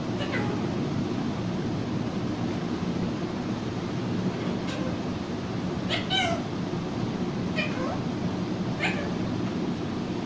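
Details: Caged pet Alexandrine parakeet talking for the first time in six months, mimicking a word: several short harsh, rising voiced bursts spaced a second or two apart over a loud, steady background hum.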